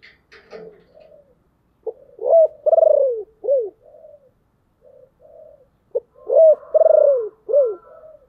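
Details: Deep-voiced decoy spotted dove calling to lure wild birds: two cooing phrases, each with a wavering coo, long falling coo and short end note, about four seconds apart, with soft coos between.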